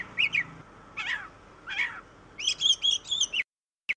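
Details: Oriental magpie-robin, called kacer in Indonesia, gives three rough, scratchy notes followed by a quick run of repeated whistled phrases, then silence with one final short note.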